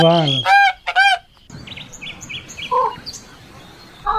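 A swan gives three loud, brassy honks in the first second, then fainter honks later over soft background chirping from small birds.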